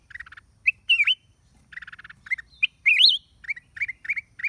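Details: Black-crested bulbul, recorded 29/12/23: short bright whistled phrases with rising and falling slurs around mid-high pitch, interspersed with quick chattering bursts, delivered in uneven spurts over a few seconds, with faint low background rumble.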